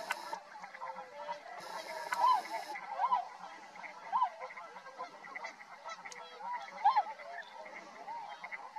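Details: Tundra swan flock at Rosedale and Munson, Drumheller, Alberta, Canada: loud arched honks every second or so over a constant chorus of overlapping calls, with a brief hissing noise early on.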